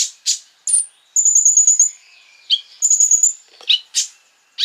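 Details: Lure song of a Crimson sunbird, sung to provoke rival sunbirds: piercing chips, then a fast high rattling trill, a thin drawn-out whistle, and further clipped notes and trills.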